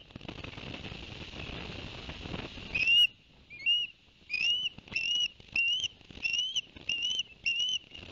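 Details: Ospreys at Barnegat Light, New Jersey, on a live nest cam, 11 September 2021, after the father delivered two fish to the young: hissy background noise, then about eight shrill whistled chirps, each rising slightly, in quick uneven succession.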